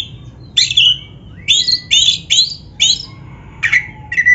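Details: Black-breasted Oriental magpie-robin, recorded as training song for caged birds: a string of loud, sharp whistled notes sweeping down from very high, about one every half second, ending in lower chirps.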